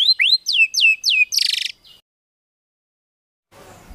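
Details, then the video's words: Brief tembakan-style shama phrase for contest birds: several loud, descending whistled swoops, then a short buzzy rattle, followed by quiet. "MASTERAN MURAI BATU FULL ISIAN TEMBAKAN MEWAH UNTUK MURAI BATU LOMBA"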